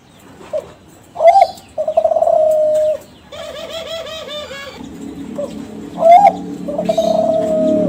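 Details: Young Kelantan spotted dove from a champion contest lineage, a lure song to draw other doves to answer: short trilled coos with long level notes, mixed with a harsh, rich-toned call and background hiss.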